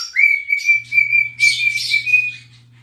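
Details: Pet cockatiel singing while dancing and rubbing its tail: one long, sustained whistle that slides up at the start and holds level, broken by harsh raspy bursts, over a faint low hum.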